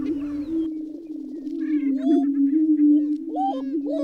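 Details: Continuous low hooting drone from greater prairie chickens with occasional upward-swooping whoops and scattered higher squeaky notes.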